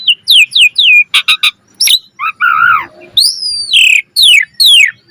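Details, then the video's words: [["Energetic 'mompa' song of an Asian pied starling, full of variation: repeated descending whistles, clicking stutters, a wavering nasal note, then long downward-sweeping whistles and sharp squeaks."]] "Suara Jalak Suren Gacor Mompa Full Variasi"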